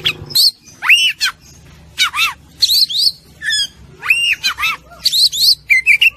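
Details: Masteran song of the Oriental magpie-robin (kacer), used to train a fighter-style bird: loud arched whistled notes dropping and rising, with harsh squawky bursts, repeated in phrases about once a second.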